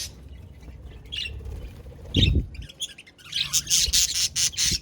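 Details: Scattered single chirps from budgerigars, then a thud, then the birds break into dense, fast, high-pitched chatter.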